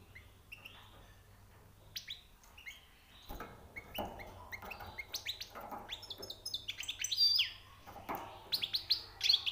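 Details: Newly caught European goldfinch singing high notes: scattered chirps that build into dense, fast twittering with sharp upslurred notes and buzzy trills, over a low steady hum.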